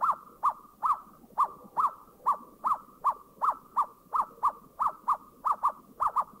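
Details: Asian barred owlet in a Thai national park giving a run of short, mellow hooted notes on one pitch, about two and a half a second, falling into quick pairs toward the end.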